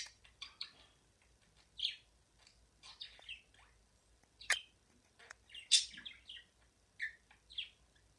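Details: Singing pet budgie giving a broken warble of quick chirps, clicks and brief buzzy notes in uneven bursts, a few sharp loud ticks standing out among softer chatter.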